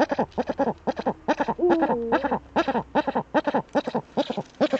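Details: Eurasian eagle-owl at a nest niche, filmed by webcam on 28 February 2013, cackling and scraping in the breeding niche; rapid harsh cackling notes, about two to three per second, with a few tonal wavering notes midway.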